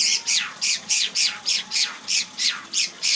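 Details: White-rumped shama running through its repertoire of imitated phrases, here a harsh, buzzy note repeated about three times a second in a steady, rapid series.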